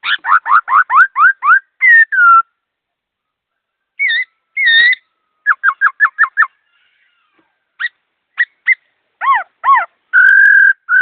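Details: Fast, clear song of a captive laughingthrush. Quick bursts of repeated rising notes, scattered short whistles and several pauses, ending with a long, steady whistle.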